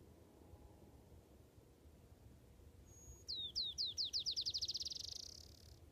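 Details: Black-chinned Sparrow song in the Laguna Mountains, San Diego County: high, sweet down-slurred notes that speed up into a fast, fading trill, like a bouncing ball, over quiet background hiss.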